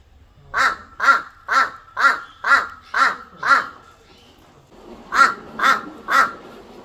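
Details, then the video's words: A crow in Kashmir gives harsh, hoarse caws, seven in an even run about two per second, then three more after a short pause, over faint background noise. "Crow sound"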